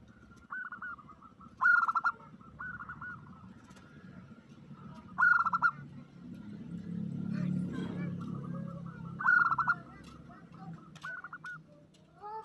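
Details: Zebra dove (perkutut) lure call, a female calling a male: quick, stuttering runs of mid-pitched cooing notes, with stronger phrases every three to four seconds over a low background rumble.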